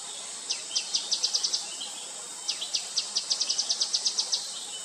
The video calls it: Gray-headed Canary-Flycatcher calling